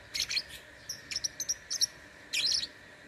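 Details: Lovebird competing in an online singing contest, from Singkawang, West Kalimantan, Indonesia: shrill high-pitched chirps, some paired, some in quick short clusters, with a buzzy squealing burst near the end.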